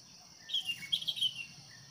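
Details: Decoy sooty-headed bulbul kept to lure wild birds into fighting, giving a quick one-second run of sharp, bubbly chirps over a constant high-pitched insect buzz.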